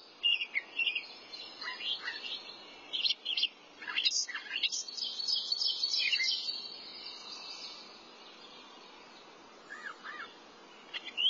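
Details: Thrasher in song, pouring out quick varied phrases of chips and slurred notes for several seconds, then quieter, with a few soft notes near the end.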